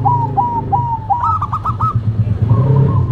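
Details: A zebra dove duet of a local and a cemani bird: a series of short, evenly spaced rising coos, then a quick stuttering burst and soft rolling trill, with low humming noise.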